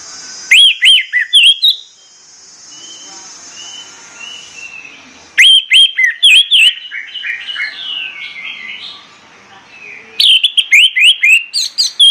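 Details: Morning song of an orange-headed thrush: three loud bursts of sharp, rapid whistled notes, with quieter, varied warbling phrases in between.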